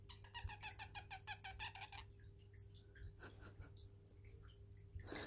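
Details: Male pet parrotlet indoors, singing while doing his dance: two seconds of rapid, loud, harmonic chirps in a quick run, then softer scattered chirps and a low room hum, with a woman talking.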